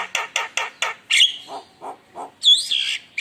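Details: Javan myna in full song, used as a lure to provoke rival birds: four harsh buzzy rasps in quick succession, then a whistled burst, three softer lower churrs, and a final bright whistled phrase with buzzy overtones.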